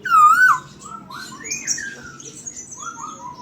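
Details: Chinese hwamei singing actively. The song is filled with oriental magpie-robin mimicry. A loud, clear whistled slur opens the clip, followed by softer, varied rising and falling whistled phrases with a faint room hum.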